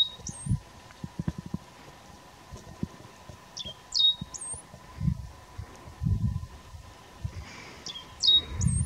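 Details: Great Pampa-finch singing at Itatiaia National Park, Brazil, in August 2018: high, thin whistled phrases, each a short note followed by a slurred, drawn-out whistle, repeated every couple of seconds over low rumbling wind-like noise.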